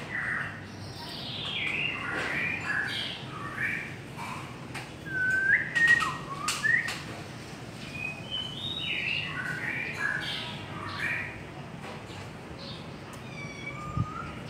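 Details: White-rumped shama in long, varied song: a continuous stream of fluty whistles, sharp upslurred notes and quick trills, phrases changing constantly over fourteen seconds with a few clicks in the background.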